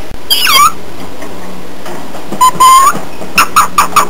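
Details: Pet cockatiel calling: a descending squawky note that ends in a whistle, a pause, then a longer rising whistle, and finally four short clipped whistled notes in quick succession.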